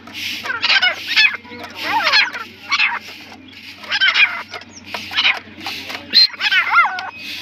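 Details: Partridge uttering rough, raspy calls in repeated bursts, with a few higher squealing, warbled notes near the end, over a constant low hum.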